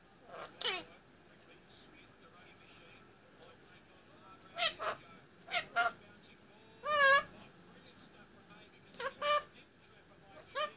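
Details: Male Indian ringneck parakeet, 18 months old, talking and singing on top of his play stand indoors; scattered short warbled, wavering syllables and squeaky mimicked phrases separated by pauses, one longer trilled phrase midway.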